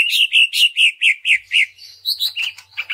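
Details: Lure song of a greater green leafbird, meant to push other leafbirds to sing their full repertoire: a steady run of about eight bright, slightly descending chirps, then a quicker jumble of high warbled notes.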